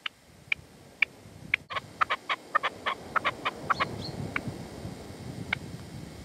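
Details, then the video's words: Partridge calling near a decoy (reclamo) at sunset in the sierra, Manzanares, 27 February 2014, with the male declining to enter. Clipped chuck notes sound over steady low rumbling background noise and trail off into scattered single notes. "PERDIZ Y RECLAMO"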